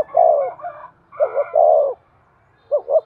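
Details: Spotted dove in excited 'thúc' cooing, used to stir and train a decoy bird: low, mellow coos in grouped phrases, a short double note then a drawn-out falling coo, with a faint higher tonal hum in the background.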